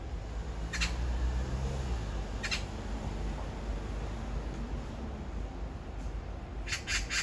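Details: Magpie singing in the morning, recorded on a phone: harsh, rasping chattering bursts, one near the start and another about two seconds later, then a quick run of three or four at the end, over steady low rumbling background noise.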